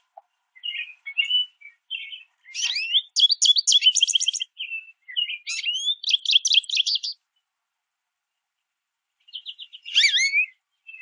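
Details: American goldfinches chirping and singing while feeding on sunflower seeds at backyard feeders; long varied sequence of sweet twitters and fast repeated chattering notes, a pause, then another twittering phrase.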